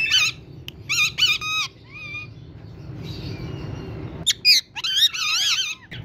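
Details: Green ringneck parrot kept as a talking bird, saying "Mithu Beta": short bursts of raspy, wavering vocal phrases with gliding tones, separated by pauses, over a low background hum.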